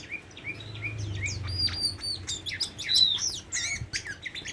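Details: Song of a tame Oriental magpie-robin: fast mix of whistled slurs, sharp chips and buzzy notes in rapid succession, with a low hum underneath.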